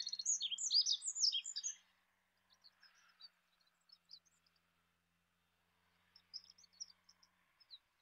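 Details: Olive-backed pipit giving a short burst of high, squeaky, tumbling notes for nearly two seconds. Quieter, distant-sounding chirps are scattered through the rest.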